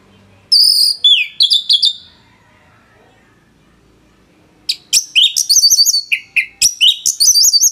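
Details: Orange-headed thrush in energetic song for training other songbirds: an opening cluster of high swooping whistles, a silent gap of nearly three seconds, then a fast run of sharp, repeated looping notes and chips.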